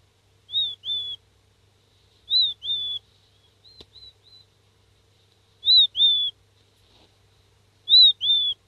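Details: Seven-day-old king quail chick calling for its parent: paired high whistled notes, the first slightly rising then falling, the second flatter, repeated roughly every two seconds, with a few fainter notes between.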